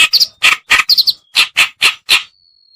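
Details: Kerakbasi reed warbler (white-browed or black-browed type, cikrok) lure call for attracting birds: eight harsh, grating chack notes, some doubled, in a loose series, ending with a thin, steady high whistle-like tone.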